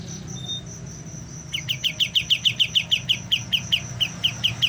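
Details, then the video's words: A young white-eye learning to sing. Brief thin whistles give way to a rapid, steady train of about sixteen short sharp notes, roughly four per second, set against a low background rumble. "BURUNG KAPAS TEMBAK MUDA, mulai belajar bunyi"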